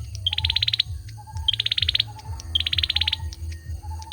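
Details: Male olive-backed sunbird singing: rapid bursts of high ticking notes, each burst about half a second, repeating roughly every second, opened by a sharper note; softer lower notes run between bursts over a steady low hum.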